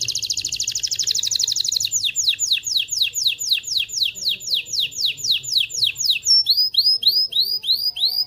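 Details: Canary; song; stimulating males and females to breed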